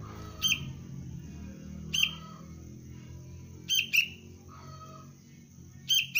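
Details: Bright, clipped chirps, single and paired, come from a young kutilang, the sooty-headed bulbul of the cengkram line, trained for bird luring. They repeat roughly every two seconds over busy low background noise.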